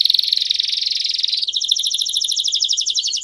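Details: Male domestic canary singing campainha-style song while a female calls; a fast, buzzy high trill shifts halfway into a clearer pulsed trill of evenly repeated bright notes.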